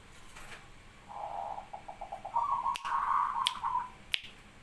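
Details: Local wild-type zebra dove giving its bekur song: a soft run of rapid, evenly spaced bubbling coos that grows louder toward a quavering close, with a few sharp clicks in the background.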